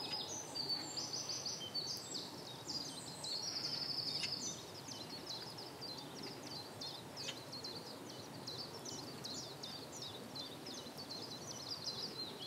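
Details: A male common reed bunting sings short, high chirping notes, several each second, over a steady hiss of wind and outdoor noise; Brökermersch, Hamm, Germany, 9 April 2017, 8:30 am.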